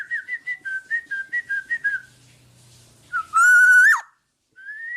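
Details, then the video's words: Black-naped oriole singing strongly, recorded to train other birds: a quick run of about a dozen short whistled notes, a soft low hum, then a loud raspy rising sweep and a final upslurred whistle. "Burung Kepodang Podang gacor buat masteran"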